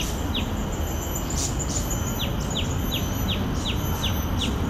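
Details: Common tailorbird recorded at Bidadari, Singapore: a single sharp high note early on, then after a pause a run of quick, evenly spaced downslurred chips, with a few faint high rustles and steady low background rumble.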